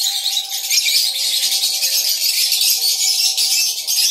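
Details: A crowded lovebird breeding colony in Tripura gives a dense, unbroken wash of shrill chirps and squeaky chatter, with a faint steady hum underneath.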